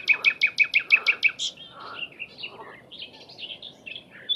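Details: Sikatan londo flycatcher song recorded as a training recording for songbirds: a fast run of about eight sharp, evenly spaced high chirps, then a varied warble of slurred whistles and twitters.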